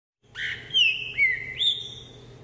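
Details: Captive green-winged saltator exercising on a jumping perch, 24 December 2020 at 10 a.m., sings a loud whistled phrase: falling slur, lower slurred note, then a jump to a high clear whistle; faint low hum underneath.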